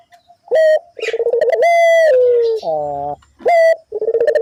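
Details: Lure recording of a ringneck dove: an upward-flicked note, a trembling rolled phrase, a long steady coo falling at the end, then a lower, buzzy, harmonic-rich note before the sequence starts again.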